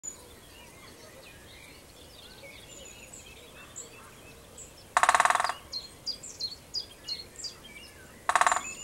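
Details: A breeding-season male Great spotted woodpecker drums on an ancient oak in the UK at dawn to proclaim territory without singing. It gives two short, rapid rattling rolls about three seconds apart, each lasting half a second, over a busy chorus of other birds.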